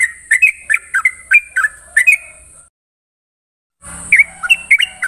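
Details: A Yellow-vented Bulbul sings in the morning, giving quick, bubbly, liquid whistled phrases at several notes a second over a steady high hiss, with a brief silent gap mid-recording.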